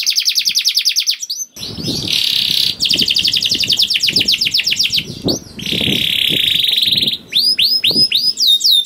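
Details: Canary pouring out long rolling trills to trigger song in other canaries; fast high trills alternate with buzzy sustained rolls, and dull low knocks sound repeatedly underneath.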